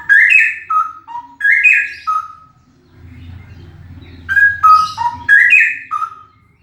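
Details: Male straw-headed bulbul singing very loudly: two bursts of rich, bubbling whistled phrases that tumble down in steps, separated by a short pause with low background rumble.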